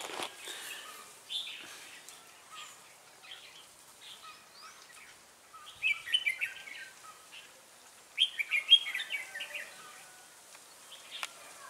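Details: Lure red-whiskered bulbul used to trap wild birds at Ba Thá, 18 December 2016, giving short clusters of sweet chirping notes separated by quiet gaps, with two louder bursts late on.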